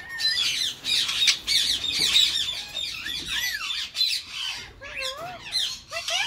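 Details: In spring, a male Indian Ringneck parakeet courts his long-time female partner. He chatters harsh squawks and rapid scratchy notes, broken by short rising and falling whistles, amid talking phrases such as "what you doing" and "gimme kiss."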